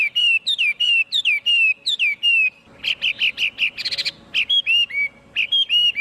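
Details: Loud whistled song of a Chinese hwamei: downslurred clear notes repeated in pairs, then a burst of rapid choppy notes and a brief rattling trill before the whistles resume.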